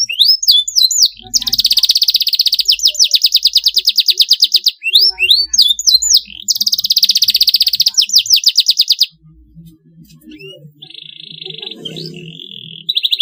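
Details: Singing canary in a long masteran song: bursts of sharp slurred whistles alternating with long, rapid buzzing trills. Near the end the song pauses, then faint trills return over a soft low murmur.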